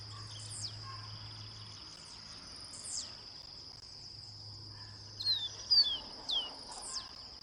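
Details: Chestnut seedeater song: after quieter faint notes, a quick cluster of bright, downslurred whistles near the end, set against a constant shrill buzz of insects.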